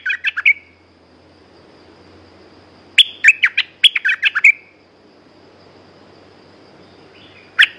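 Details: Caged red-whiskered bulbul, a lively lure-song bird, singing three separate quick phrases of bright, chirpy whistled notes with slurred endings, split by pauses of silence, over a soft low hum.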